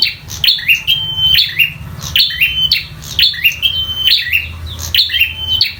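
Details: Local bar-winged prinia singing in fighting mode: loud, high repeated phrases, each a sharp downward note followed by a flat, buzzy whistle, about every second, with low background rumble.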